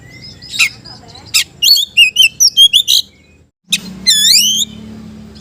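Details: Magpie-robin (kacer) singing to challenge a rival: a run of quick whistled notes at a steady pace, then a long rising slurred whistle sweeping upward, with a low hum underneath.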